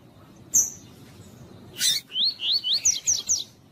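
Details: Double-collared seedeater in the tui tui song style, used to warm up and stimulate other birds to sing: a high whistle, a harsh burst, then a quick series of six wavering rising-falling whistled notes.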